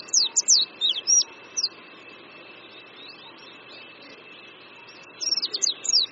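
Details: Oriental white-eye perched on a branch above a creek at Qingdao University, Shandong, China: two bursts of high, sharp twittering notes, one at the start and one at the end, with a quiet pause between and a faint steady tone throughout.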